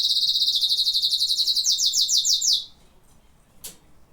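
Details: Canary song: a loud, fast, pulsing trill lasting about two and a half seconds, shifting slightly in pitch, followed by quiet and a single faint click.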